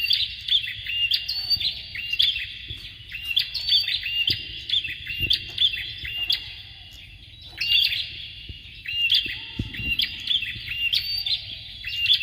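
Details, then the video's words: Male and female Bar-winged Prinias give rapid, high, chirping phrases of sharp up-and-down notes, repeated in bursts with brief pauses between them. "BURUNG PRENJAK JANTAN DAN BETINA"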